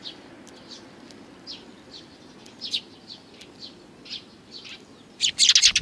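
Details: Sparrows gathering to be fed at a Tenmangu shrine's front approach on 29 May 2020: scattered soft chirps every half second or so, then a sudden burst of loud, overlapping twittering at the end.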